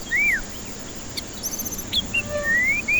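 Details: White-rumped shama song as a lure for stressed, reluctant singers: a loud arched whistle, a few brief high notes, then a long slowly rising whistle ending in a higher note, over background hiss.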